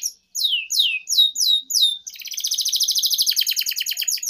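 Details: Canary master song for tutoring young birds, a long 'gacor' lure recording: five sweeping downslurred whistles, then a fast, buzzy, rattling trill running steadily to the end.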